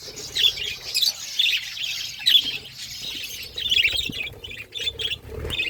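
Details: Budgerigars eating together as a flock make steady high warbling chatter and sharp chirps in repeated bursts, with faint low background noise.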